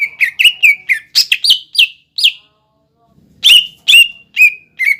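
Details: Song of a cucak ijo played to provoke young birds into singing: quick strings of loud, slurred whistles falling in pitch, a pause of about a second, then four more emphatic notes.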